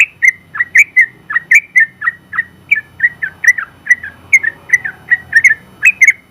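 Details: Sooty-headed bulbul (trucukan), a competition-winning bird, singing a long continuous chattering song: rapid short whistled notes near the same pitch, about three per second, with slight up-and-down inflections and sharp clicky onsets, over a faint low hum.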